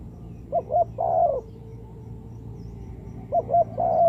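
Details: Spotted dove lure call for trapping birds: a pair of quick coos leads into a long, steady croo; after a silent gap the same phrase begins again, with a low rumble underneath.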